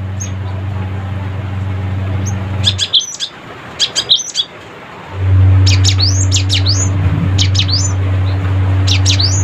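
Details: Cinereous tit song used to call rivals: quick runs of high, thin chirps and upward-flicking whistles in two bursts, the second longer and denser, with a strong low droning hum underneath for most of the recording.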